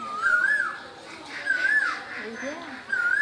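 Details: In Bangladesh during spring, an Asian koel repeats a mellow whistled note that swoops up and down, three times in quick succession over a quiet background.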